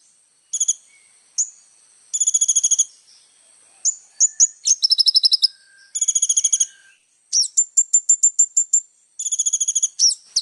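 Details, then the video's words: ['Little spiderhunter in a continuous bout of very high, fast trills and sharp chips. The trills come in bursts of about a second, sometimes with a quick series of separate notes. There is a steady faint high tone in the background.'] "SUARA BURUNG KOLIBRI NINJA GACOR"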